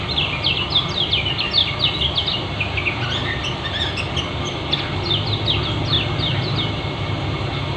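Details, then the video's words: Lombok white-eye, kecial kuning type, delivering rapid ngeriwik chirping: dense runs of short, sharp, high twitters in quick bursts, set against a constant tone and rumbling low noise. "Terapi Pleci lombok kecial kuning ngeriwik speed rapat"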